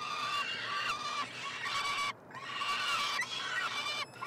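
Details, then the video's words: Peregrine falcon chicks, three siblings born late May, being fed in a nestbox at the University of Montreal, Quebec, Canada, on 21 June; loud harsh drawn-out wailing cries with rich harmonics, several long calls broken by short pauses. "Karmienia " trojaczków ""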